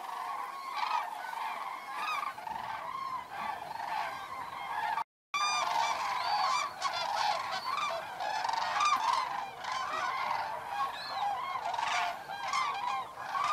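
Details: Evening roost flight of common cranes at Federow, Germany, on 3 October 2018, birds unusually close over low water after drought; many loud bugling calls overlap in a steady clamour, with a brief gap midway.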